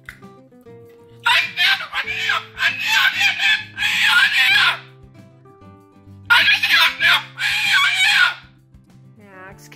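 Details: A pet Moluccan Cockatoo indoors gives harsh, raspy screeches in two long bursts of several seconds each while its owner talks and laughs, over soft background music.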